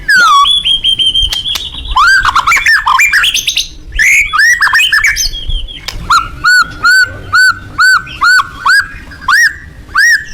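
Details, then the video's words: Loud white-rumped shama song: long whistled notes and tumbling varied phrases, then a steady series of about ten sharp, repeated, arched whistles, each under a second apart. "kicau burung murai batu gacor tembakan suara lantang membuat semua burung takut"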